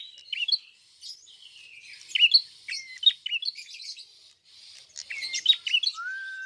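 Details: Red-fronted prinia (prenjak kepala merah) in full song: a continuous stream of high chirps and short whistles, ending in one long, level lower whistle.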